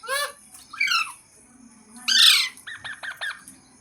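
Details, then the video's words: Green parrot squawking: a few harsh slurred calls, one loud raspy screech, then a quick series of short, clipped, repeated notes. "Green Parrot Talking Natural Sounds | Tote Ki Awaaz | Mitthu Ki Awaaz"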